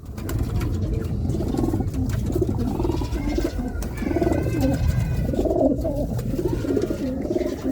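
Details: Racing pigeons coo in a loft, with low throaty rolling coos repeated over several seconds, overlapping calls from more than one bird, against a steady background rumble.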